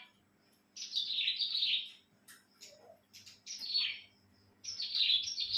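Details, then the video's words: Kept cilang bird singing cheerfully on a bright morning: three loud, buzzy, chattering phrases that fall in pitch, separated by short sharp clicks and a soft low note, with quiet background hum. "Di pagi yg cerah,burung cilang ku pun ikut ceria"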